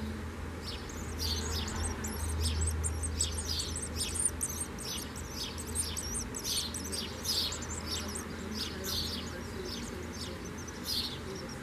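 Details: Common swifts calling: shrill, high screeching bursts repeated about every half second to a second, several overlapping, over a steady low hum and rumble in the background.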